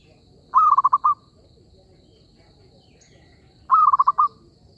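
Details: Trapping lure of zebra dove calls: two purring coos about three seconds apart, each starting on a level tone and ending in five quick throbbing notes, with a faint high-pitched whine in the background.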